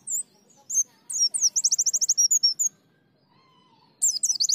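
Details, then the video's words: White-eye (pleci) singing in the lively ngalas, nembak and ngriwik style: high, thin chirps, then a fast run of about fifteen evenly spaced rising notes, a pause, then another quick burst of sharp twitters. "Terapi Pleci Ngalas Nembak Ngriwik Gacor"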